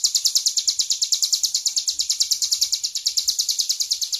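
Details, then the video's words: High, rapid, buzzy song of a tame hill prinia singing vigorously: evenly spaced, clipped notes of about three per second in each beat, running continuously over faint low background rumble. "CIBLEK GUNUNG JINAK GACOR-KLOWOR"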